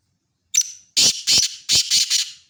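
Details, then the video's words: Black francolin call phrase: a thin short lead-in note followed by five or six loud, coarse, grating notes in a rapid rhythmic series, recorded close and clear. "kala Teetar Ki Awaaz"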